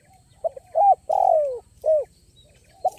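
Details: Spotted dove at a dove-luring location, using a crisp voice with stuttering play. A hesitant soft note, a rising coo, a long sliding falling coo, then shorter hooked coos, over a faint background hum.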